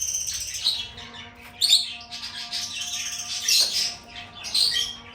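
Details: Lovebird chirping and singing: rasping, squeaky bursts about once a second, interspersed with brief sharp squeaks, over a faint steady hum.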